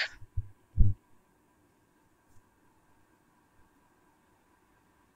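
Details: A few dull thumps and knocks at the start, then quiet steady hum with no animal call.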